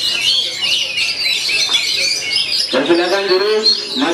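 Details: Oriental magpie-robin performing at a bird-song practice contest in Yogyakarta pours out a fast, varied run of high whistles and chattering notes. A man's voice, crowd noise and applause join it partway through.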